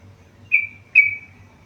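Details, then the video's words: Two short, clear whistled notes from a tame yellow-vented bulbul in full voice, each starting sharply and trailing off in a level tone, separated by under half a second, with a soft background hum. "burung trucukan gacor jinak"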